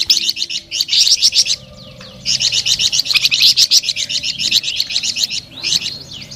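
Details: Flamboyan bird delivering a sweet, busy song of quick, repeated high chirps in long bursts. A short quiet gap separates two rapid trilling runs.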